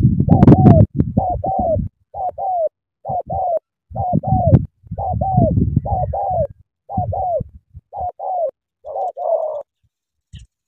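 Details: Spotted dove cooing hard: a fast series of two-note coos, the second note longer and falling, over bursts of low rumbling noise, ending in near silence.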